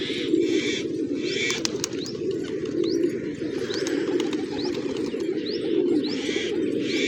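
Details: Many pigeons eating grain in a village on a morning, a low cooing chorus beneath short rising chirps from small birds repeated about every second, plus occasional soft flapping.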